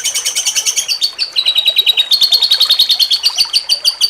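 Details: Cucak cungkok in jengking munting style, recorded as a contest training aid, delivers a continuous fast chattering trill of sharp high notes, about three per tenth of a second, slightly lowering then steady.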